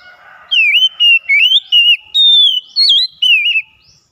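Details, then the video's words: Oriental magpie-robin song used as a daily lure for lazy singers: seven loud whistled phrases in a steady run, each looping and bending, roughly every half second, ending in silence. "PANCINGAN HARIAN KACER MALAS BUNYI TAMBAH JOOS GACOR"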